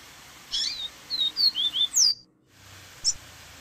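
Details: Double-collared seedeater singing varied 'baderna' songs beside a waterfall sound: a brisk phrase of about six clear, high slurred whistles, each rising or falling, then a brief pause and one more chirp, soft steady hiss behind.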